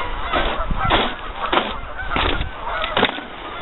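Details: Geese in large numbers on a half-frozen lake give harsh, nasal honks in bursts, with several loud percussive thumps among the calls.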